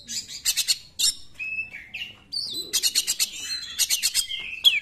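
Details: A singing Oriental magpie-robin intended to provoke rival magpie-robins: rattling harsh bursts broken by smooth falling whistles and a rising upturned note, ending on a bright sharp whistle.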